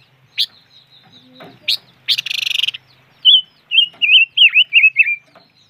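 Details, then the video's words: Silver-eared mesia calling: a few sharp notes and a brief rattle, then a run of loud warbled, wavering whistles repeated in quick succession. "Suab noog rheeb quaj chim ngũ sắc"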